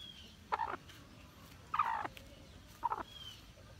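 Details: Hmong black chicken uttering three raspy, mid-pitched clucks roughly once per second, the middle one longest and loudest.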